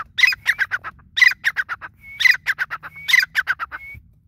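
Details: A grey francolin's loud repeated phrases, each beginning with a thin rising whistle and followed by a rattling run of coarse, chattering notes that fall away. Four such phrases come in close succession.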